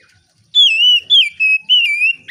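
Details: Oriental magpie-robin, a kept songbird in full relaxed song, used to provoke other magpie-robins into singing: loud, clear whistled phrases gliding and wavering, four sustained notes in quick sequence.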